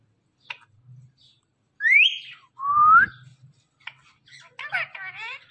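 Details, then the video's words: Pet talking parrot, busy playing with her best friend, gives two rising whistles followed by a scratchy run of fast, chattering notes. "talking parrot || Parrot talking"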